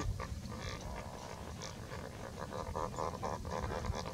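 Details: A dense chorus of lesser flamingos, seemingly quarreling while starting to build nests, India: short nasal, grunting honks overlapping in quick succession over a steady low rumble of wind or background noise.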